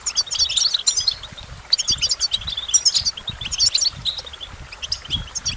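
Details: Goldfinch singing in clear phrases: rapid, tinkling chirps and buzzy trills in bursts roughly every second or two, with faint low tapping in the background.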